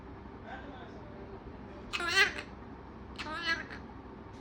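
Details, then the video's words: Talking pet parrot producing two bursts of warbling, speech-like vocalizations, with faint chatter and room noise in between. "बातुनी तोता"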